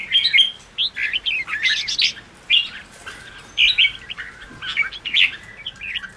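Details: Red-whiskered bulbul in ché-style song for rousing newly caught birds. Short bursts of mellow whistles and chirps recur about every second at moderate loudness.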